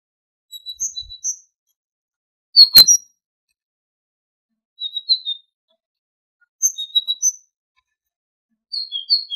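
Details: Tit singing on a goldfinch training recording. Short clusters of high, thin whistled notes come about every two seconds, with long silent gaps and one sharp click between phrases.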